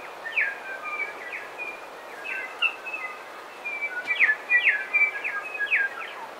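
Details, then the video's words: Coastal dawn chorus with bellbird song and calls, some close: ringing whistled tones mixed with sharp descending slurs, clustered into lively bursts, busiest near the end, with soft constant ambient noise beneath. "Dawn Chorus With Song And Calls From Bellbirds"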